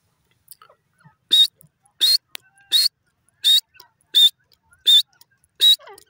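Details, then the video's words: Grey francolin (desi teetar) in a forest, giving loud, harsh, high-pitched calls. Each burst has a whistled note inside it, and the bursts repeat at a steady rhythm about every 0.7 seconds, with faint soft chirps between them. "grey francolin playing in foest irani desi teetar bird awaz"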